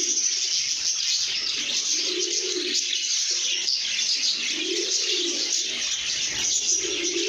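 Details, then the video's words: Contented lovebirds in good mood, singing and chirping: thick, nonstop squeaky twittering from many birds, with rounded low coos rising and falling every second or two. "lovebirds singing & chirping sounds"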